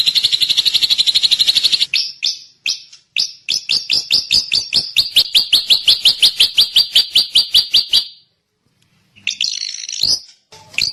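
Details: A drongo sings a quick high trill, then a long series of sharp, clipped chips at a lively, uneven pace, a silent gap, and a final burst of harsh, mixed notes.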